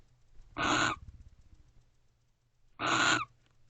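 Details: Barn owl at a nest box around 12:30 am in late November, pair guarding together: two harsh, hissing screeches about two seconds apart, each roughly a third of a second long.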